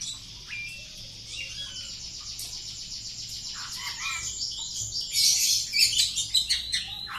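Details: An Oriental magpie-robin kept at home, being tested for courage, delivers a long high buzzing trill of rapidly repeated notes that swells louder, then breaks into sharp chirps and short whistles near the end.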